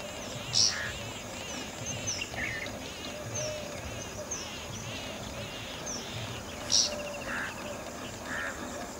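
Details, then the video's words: Bluethroat, a migratory winter visitor, in Udaipur, Rajasthan, India, giving two sharp, high notes about six seconds apart, with soft scattered chirps between, over a dense, steady hiss of background noise. "Bluethroat Call"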